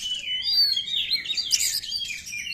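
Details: Oriental magpie-robin in 'konslet' style, a lure song to excite other magpie-robins: a continuous rush of bright whistled notes, slurred rising and falling phrases and a harsh buzzy burst in the middle.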